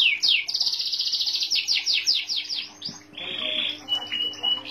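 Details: White canary giving a fast high rolling trill that slows into spaced chirps, followed by a quieter, thinner, steady whistled note.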